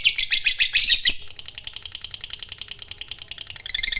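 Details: Fighter lovebird in full song used to provoke other lovebirds: a burst of loud, harsh warbling chatter that runs into a fast, even series of sharp high pulses, rising in intensity again near the end.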